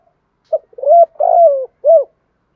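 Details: Single phrase of spotted dove cooing in the gáy thổ lure style for wild doves: short opening note, rising coo, long burry descending coo and a rounded closing coo, against silence.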